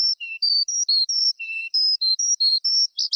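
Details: Forest skylark giving a steady run of clean, piping whistled notes at alternating pitches, each about a quarter second long, with a few lower notes and a brief burst at the end. No other sounds.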